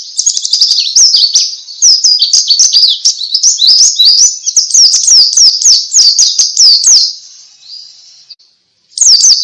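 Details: White-eye singing in the ngalas style, used to prompt other white-eyes to sing: fast, high twittering of sharp rising and falling chirps in a near-continuous stream for about seven seconds, a short pause, then the twitter starting again.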